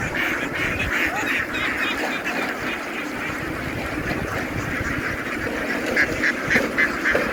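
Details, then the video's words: A farm flock of ducks boarding a ship after running ashore, their many overlapping quacks forming a harsh, buzzing roar compared to swarming bees, growing slightly louder toward the end. "The ducks ran ashore, making a noise like a swarm of bees as they boarded the ship."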